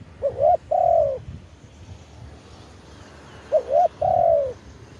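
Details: Live recording of a spotted dove singing the khan yon coo to lure wild doves, decoy-on-branch style: two mellow phrases about three seconds apart, each of quick short notes leading into a drawn-out falling coo.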